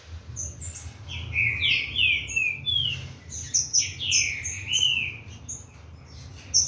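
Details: Green-winged saltator from a Corvo x Fogueira line getting its song going: a string of smooth, drooping whistled notes in two groups, with high twittering chips above and a low background hum.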